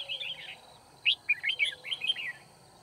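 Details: Red-whiskered bulbul singing as a trapping decoy to challenge rivals, 9 February 2019; a busy run of bright, tumbling whistled notes lasting about two seconds, fairly loud and close.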